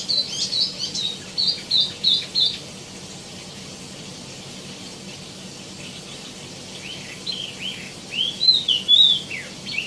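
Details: Tieumi (wambi mini) with quick bursts of high, squeaky chirps, a long silent gap, then a rolling series of looping, bubbling whistled notes.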